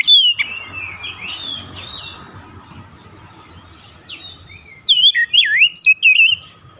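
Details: Oriental magpie-robin used as a lure to provoke other magpie-robins into singing: a burst of varied whistled and buzzy phrases at the start, a quiet stretch of low rumble, then a fast run of looping, warbled whistles near the end.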